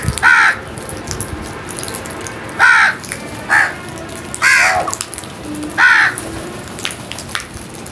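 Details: Feeding crows giving five harsh, hoarse caws at irregular intervals, some short and clipped, others drawn out, against a constant low hiss with occasional ticks.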